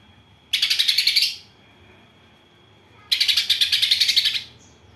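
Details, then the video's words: Greater green leafbird voicing a song laced with house sparrow and kapas tembak imitations: two long, dense, buzzy, rapidly pulsed chatter phrases, each over a second, separated by a quiet gap. "Cucak ijo isian Gereja vs Kapas Tembak"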